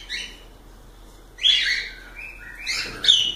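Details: Cockatiels kept as pets give three separate bright chirp groups, each a quick rising, harmonic-rich note, with quiet pauses between them.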